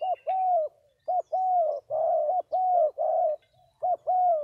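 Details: Two spotted doves kept as decoy birds give low, hollow coos, each phrase a short note followed by a longer slurred one, repeated about once a second with brief pauses; faint high notes of another bird at the start.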